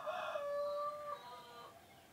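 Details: Rooster crow heard from a distance, the tail of a long drawn-out note that wavers and fades over about two seconds against a soft background hiss.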